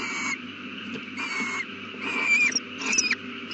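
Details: An owl at the nest with a newly hatched chick, 8:32 pm on 18 April 2019, gives a run of four drawn, wavering tonal calls, the last two higher and rougher, over background hum.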